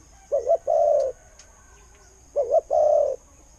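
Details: Two phrases from a Thai decoy spotted dove: a bouncing double note then a held, mellow low coo, about two seconds apart.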